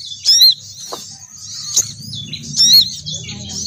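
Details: Female crimson sunbird call used as a lure for males: two loud, thin, squealing bursts about two seconds apart, with a sharp click between them and soft high twittering and low rumble in the background.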